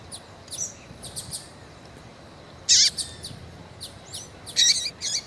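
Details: Female double-collared seedeater kept by breeders in Brazil, calling and peeping to stimulate a male; scattered high, sharp chirps, some bursts with a downward-sweeping tail, spaced irregularly over a quiet background.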